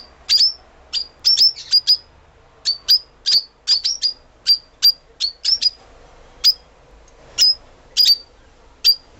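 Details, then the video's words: Lovebirds (Agapornis species) give sharp, high-pitched chirps in quick irregular bursts, sometimes doubled or tripled, with brief pauses between. "Неразлучники. Попугай. Голоса птиц"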